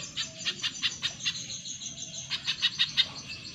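Spiderhunter giving two quick runs of sharp, high chirps, roughly five notes a second, with a brief pause between runs and a faint hiss behind.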